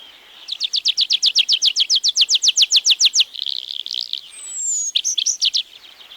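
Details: Tree Pipit singing in Wielkopolska National Park forest, Poland, 1990 recording: a long, steady run of rapid downslurred notes, about four a second, breaking into a buzzy warble, with a thin, high descending whistle and a few loud chips after.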